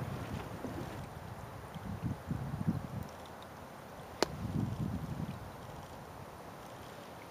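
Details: Wind rumbling against the microphone, with one sharp click midway and no animal voices.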